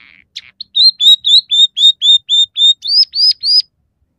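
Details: Scaly-breasted munia singing a variation laced with house sparrow, red siskin and canary phrases; a dozen clear, high whistled notes repeat about every quarter second, the last few sliding upward, in a quiet setting.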